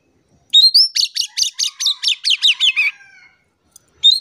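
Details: Lively Oriental magpie-robin song used to coax quiet birds into singing: a clear upward whistle followed by about ten quick, repeated downslurred notes, fading into a soft trailing note, then a new whistle begins.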